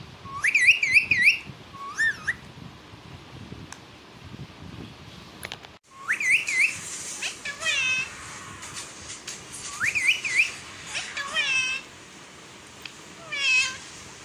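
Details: Pet parrot talking in Balochi, mixing repeated wavy whistled phrases that rise and dip with raspy, voice-like syllables, in bursts separated by short quiet gaps.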